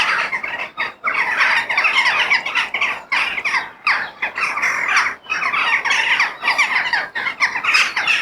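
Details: Crows calling in nature: a dense chorus of harsh, raspy caws overlapping almost without pause, with brief gaps roughly every second or two.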